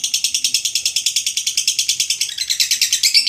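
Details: Lovebird in extended 'ngekek' chattering, a training recording for birds reluctant to sing: an even train of rapid, scratchy, high-pitched pulses, just over three per second, slightly dropping in pitch near the end.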